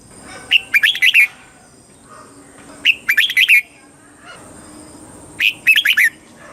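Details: Red-whiskered bulbul from Thailand in southern master-style song, played to excite caged birds and teach young birds; three short bright warbled phrases of quick rising-falling notes, each about half a second, spaced roughly two seconds apart, over a faint steady high hum.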